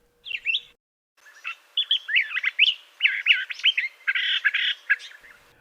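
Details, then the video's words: Curve-billed Thrasher in an Arizona desert backyard in spring, singing from a high perch such as a cactus or rooftop: a brief opening note, then a rich, jumbled run of quick varied warbled phrases, some slurred, some buzzy; faint steady hum. "Song of Curve-billed Thrasher"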